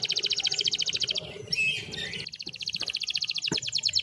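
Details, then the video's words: Canary giving dense, rapid, high trills of evenly repeated notes, broken by a short varied phrase and a click-like note, then resuming the fast rolling trill, with low background hum. "PANCINGAN KENARI MACET AGAR RAJIN BUNYI !! MASTERAN BURUNG KENARI"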